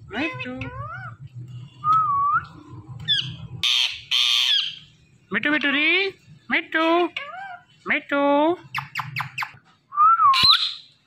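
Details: Indian ringneck parrot, described as a flock: harsh broadband squawks mixed with clipped, speech-like harmonic syllables and a rising-then-falling pure whistle near the end, in short bursts separated by brief pauses.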